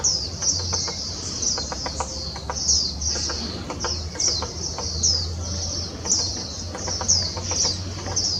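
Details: In Taiwan in 2016, a grey-capped pygmy woodpecker makes shrill, buzzy descending notes repeated steadily for eight seconds, accompanied by light tapping clicks and low background hum.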